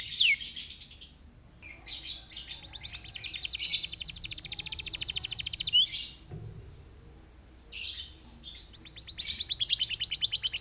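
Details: Singing canary, its song used to lure and trigger other canaries into song: long, rapid rolling trills in phrases a few seconds long, with brief whistled sweeps between them and short pauses.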